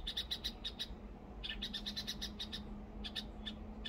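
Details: Red-whiskered bulbul, one of a breeding pair nesting on a perilla plant in March, gives quick bursts of bright, chirpy notes, pausing briefly between groups, over a steady low hum.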